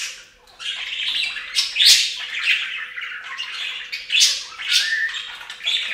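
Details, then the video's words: Several budgerigars enjoying a fountain bath chatter almost without pause, mixing harsh squawks, quick chirps and a few sliding whistled notes. "Best Budgie Bath EVER! + Budgie sounds"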